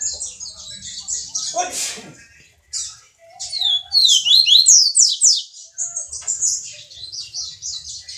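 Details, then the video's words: Double-collared seedeater, Jordânia, Minas Gerais, Brazil, in viviti song: high buzzy trills interrupted by a brief broadband rustle, then a fast cluster of slurred descending whistles and more continuous twittering phrases. "Coleiro Som Do Povo-Canto Viviti"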